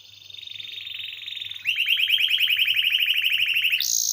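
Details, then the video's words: Canary singing in a lively, nonstop rolling style, used as a master recording for training other songbirds: a fast trill around the middle pitch, then a louder, rapid run of repeated notes with a higher buzzy layer above it. "Kenari Gacor Ngeroll"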